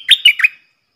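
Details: Brief, clear fragment of a stripe-throated bulbul decoy's song: three quick, liquid, gurgling notes within half a second. The song is used to teach young birds and lure wild birds.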